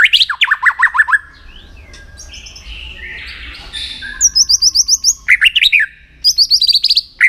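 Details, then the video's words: Captive white-rumped shama singing for voice training and to stir rivals before contests: fast repeated chirped phrases, a noisy stretch with rustling, then high ringing trills and quick repeated chirp series. "luyện giọng chòe lửa hót kích chòe lửa nhanh căng lửa"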